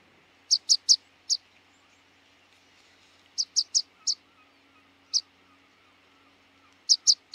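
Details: Rock pipit (Anthus petrosus) calling: thin, high, clipped notes in quick bursts of three or four, then a single note, then another burst, separated by short silences.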